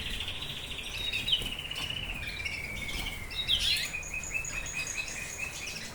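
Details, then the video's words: Fife Fancy canary song, a sustained rolling trill held at a steady pitch and slowly sliding lower for several seconds, broken by quick sharp notes, ending with a thin high whistled tone, with faint background hum. "Canarini Fife Fancy"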